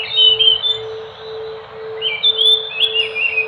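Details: Whistled song of the Enggano thrush (Geokichla leucolaema), Indonesia: a short bright phrase, a quiet gap of about a second, then rising slurred whistles repeated toward the end, over a persistent low hum.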